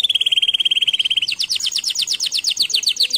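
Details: A very fast rattling trill from a canary, held level for over a second, then a string of rapid repeated sweeping notes at a slightly slower pace.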